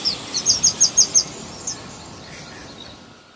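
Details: A young bird being fed gives a quick row of about seven high, sharp downslurred chirps, then falls silent into background hiss.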